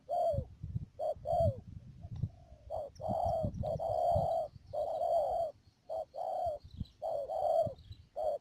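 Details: A decoy spotted dove, kept for trapping wild doves at Mương Điều in Đầm Dơi, Cà Mau, recorded 12 March 2019, coos repeatedly in soft, husky phrases of short and drawn-out notes over low rumbling noise and a constant high whine.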